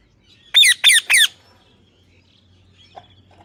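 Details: Pet parrot imitating speech: three rapid, loud, buzzy syllables sliding downward, then a faint click and a low hum in the quiet that follows.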